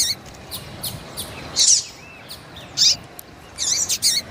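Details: A female Double-collared Seedeater in heat calls to stir up a cold male. Three or four thin, high, slurred chirps come about a second apart, with fainter chirps in between, over soft background hiss.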